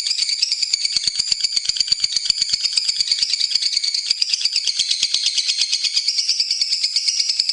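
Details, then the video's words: Lovebird used as a tutor for training songbirds, best played in the morning or evening: a continuous high, rapid, rattling chatter of scratchy notes, unbroken and fairly steady throughout. "Masteran Terbaik Love Bird"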